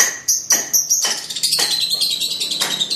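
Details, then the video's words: Young lovebird in its masteran stage giving ngekek song: a near-continuous, high-pitched, scratchy chatter with a few sharper accented notes. "Lovebird sibiru persib ngekek u4k5"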